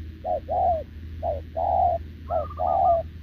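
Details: Caged spotted dove, a wild-caught, short-legged bird, coos steadily toward a decoy: two-part mellow phrases, a clipped note followed by a longer level one, repeated, with a faint higher rippling trill late on.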